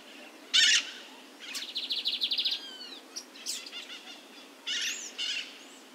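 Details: A lined seedeater (Sporophila lineola) in the wild, feeding on brachiaria grass, sings a lively, jumbled phrase: a harsh buzzy burst, a quick run of about eight bright trilled notes, and thin falling whistles, then another buzz.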